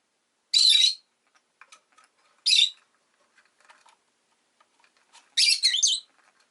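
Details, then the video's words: Pet rosy-faced lovebird: three sharp, high, grating chirps, the last longer and warbling, with faint soft twitters and ticks between them. "Lovebird Chirping Sounds"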